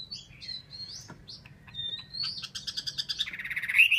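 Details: Caged Chinese hwamei in Vietnam gives varied whistles and chirps building into a fast, loud rattling trill at the end, over a faint low hum.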